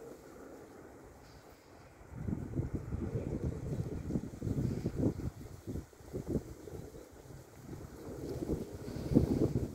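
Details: Buffeting wind and microphone handling thumps dominate, with no animal call heard.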